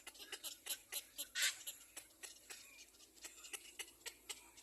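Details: Baby black-crowned bird screaming as it follows its mother: sharp, high, clicky chips repeated several times a second, fairly soft, with one louder harsh burst near the middle.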